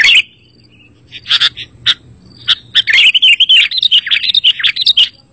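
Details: Sooty-headed bulbul song played to lure wild birds and to prompt a lazy caged bird to answer: isolated sharp chirps, then a fast run of bubbly notes.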